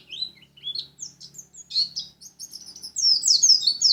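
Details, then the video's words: Lumajang white-eye song: high thin chirps and slurred whistles building into a louder, dense, fast twittering flourish near the end, over a faint low hum. "Burung pleci lumajang"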